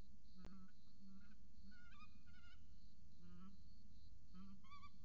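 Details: Peregrine falcon chick and mother at a nest watched by a falcon camera in Orange, Australia: scattered short harmonic calls, some rising and some falling, over a steady electrical hum and low rumble.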